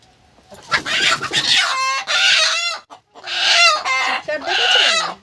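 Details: Angry desi chickens, six-month-old laying hens, in a backyard enclosure scream before being caught to be flown. They give loud, harsh squawks and screeches in several bursts, some rising into strained, rooster-like crows, and a man speaks at the start.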